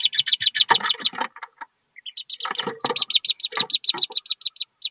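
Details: Wood duck ducklings, thirteen of them, leaving a nest box about 15 feet high: fast strings of thin, high peeps, about three per second, over bursts of scraping and rustling.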